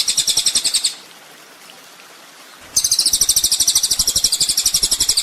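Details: Master training recording of a kolibri ninja sunbird: shrill, very high, fast-pulsed trills, a brief pause, then a long steady run of rapid high notes over faint low thumping.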